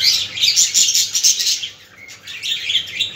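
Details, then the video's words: Budgerigars, recorded to stimulate other birds, chatter in a busy, high warble of quick chirps and scratchy notes, several birds overlapping with a brief lull midway. "اصوات طيور الحب البادجي"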